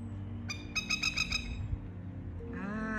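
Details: A masked lapwing (plover) with a chick, calling since 5 a.m., in a neighbour's driveway in Australia at 2:30 p.m. on 12 August 2020, gives harsh, strident alarm notes, about five a second, then a rising drawn-out call, over low traffic rumble.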